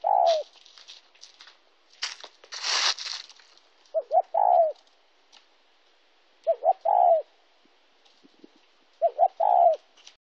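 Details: Spotted dove in Kon Tum, Vietnam, on 26 January 2016, delivering three separated coo phrases of two or three quick notes ending in a longer falling coo, with a loud rushing, crackling noise burst early on.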